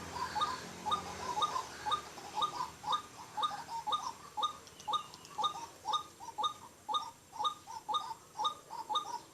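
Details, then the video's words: White-breasted waterhen calling by day around banana trees during a bird-luring session: a steady series of paired, croaking notes repeated about twice a second, with faint higher chirps above. "pikat burung ruak ruak siang"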